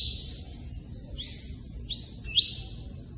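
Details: A softer, more distant-sounding stretch of the tui-tui's 'cortando' song: drawn-out high whistles and one sharp upward note near the end, partly masked by loud running water.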